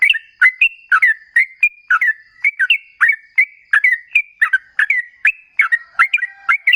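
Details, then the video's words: Ropel ngalas song of the sooty-headed bulbul, played as a lure to make other trucuk respond; a continuous string of quick whistled notes, some rising and some falling, about twenty-five in seven seconds. "Suara TRUCUKAN GACOR Ropel Ngalas"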